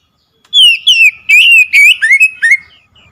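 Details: Oriental magpie-robin lure song to get a silent bird singing. Sweeping downward whistles lead into quicker, buzzier slurred notes and a final upturned whistle, all clear and loud.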